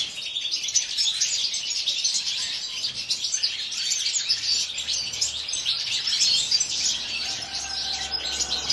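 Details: Aviary-housed European goldfinches singing at once, a busy wall of high tinkling notes, quick twitters and scratchy trills running without break; a faint low hum sits underneath.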